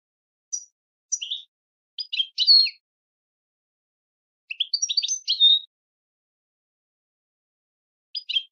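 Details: European goldfinch singing in the switty style for training birds: short, separated bursts of high twittering notes and buzzy chirps, spaced by pauses of one to three seconds, no background sound.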